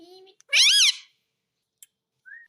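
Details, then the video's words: Pet Indian ringneck parakeet (rose-ringed parakeet) talking, repeating "mummy" in a single high, reedy word that arches up and down, with soft chatter before it and a short rising whistle after. "Parrot Talking"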